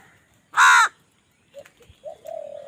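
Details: Crow calling while fighting over food: one loud harsh caw, then quieter short calls and a drawn-out lower note.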